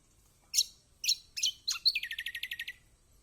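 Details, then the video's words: Kecial kombok (lemon-bellied white-eye) song used as a lure to get a reluctant bird singing: four sharp, high, descending chip notes followed by a fast, even trill of about ten bright notes, with a quiet background. "Masteran Kecial kombok/kecial kombo || Pancingan buat kecial kombok malas bunyi auto gacor!!"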